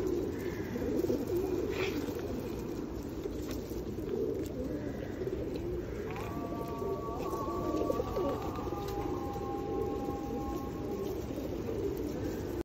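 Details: Flock of feral pigeons at Osu Kannon during a 2021 feeding in the rain: a dense bed of low throaty cooing under rain hiss, with a few thin sustained tones partway through.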